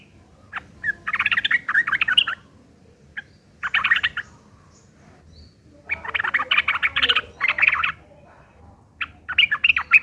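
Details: Sooty-headed bulbul in rough, harsh chattering fighting song used as a lure to make other birds answer; dense buzzy bursts of rapid notes, each lasting about a second, repeated several times with short pauses.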